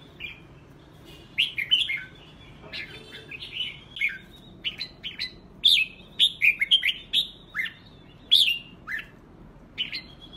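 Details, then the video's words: Red-whiskered bulbuls provoked into contest singing give lively clusters of clear, sweet whistled notes. The notes swoop up and down and come in rapid runs, busier in the second half, over a soft constant hiss. "Kích chào mào đấu hót cực hay"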